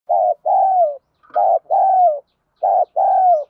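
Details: Spotted dove cooing in the rapid 'thúc gù' and calling 'gáy gọi' style, with male and female voices used to stimulate trained decoy doves. Three low paired phrases, each a short coo followed by a longer falling coo, about every 1.2 seconds.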